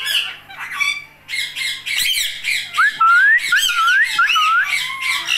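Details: Indian ringneck parakeet mimicking speech, then a clear whistled phrase of rising slurred notes repeated about four times, over a faint steady hum.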